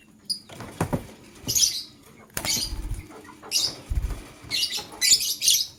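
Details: Male lovebird choosing a partner, in the morning: shrill high chirp bursts mixed with wing flutters and low thumps from movement in between.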